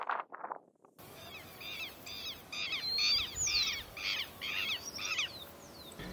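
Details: Southern screamer (Chauna torquata) giving its loud, harsh, honking scream in a rapid series of about two per second, with a few thin whistled bird notes behind.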